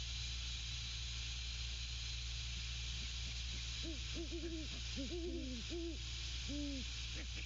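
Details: At their nest a Great Horned Owl pair calls; after quiet seconds, low rounded hoots arrive in a rapid cluster and then two slower single hoots, against steady hiss and hum.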